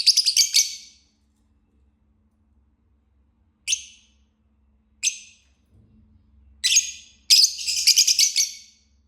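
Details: Green lovebird chirping: a fast cluster of harsh high chirps, then scattered single chirps after a pause, ending in another rapid stuttering burst of shrill notes.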